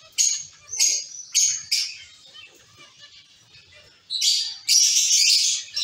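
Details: Zebra finches in a cage colony: a few evenly spaced nasal beeping calls, a quieter stretch of soft chatter, then a loud burst of overlapping chirps.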